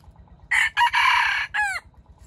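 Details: Wild red junglefowl rooster caught in a bait trap, crowing loudly: a four-part harsh crow about 1.3 seconds long, three loud buzzy bursts and a final falling drawn-out note, over a faint low rhythmic background rumble.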